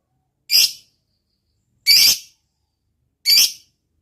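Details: Lovebird calling, from a lure recording meant to make silent lovebirds sing: three separate harsh, raspy, high shrieks spaced about one and a half seconds apart, with silence between them.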